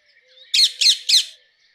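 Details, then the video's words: Three loud, harsh screeches from a rose-ringed parakeet, delivered rapidly one after another. "Rose ringed parakeet Call"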